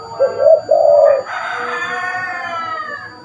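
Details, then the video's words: Spotted dove used to lure birds, giving two quick low coos at the start, then a louder, high, tonal sound with many overtones that drowns out the rest. "Burung tekukur gacor pas buat pikat burung"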